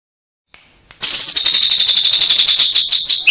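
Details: Caged white-rumped shama singing a mimicry-filled song: after two brief notes, a loud, rapid trill of high ringing notes, about three per second, holds steady then drops lower at the end.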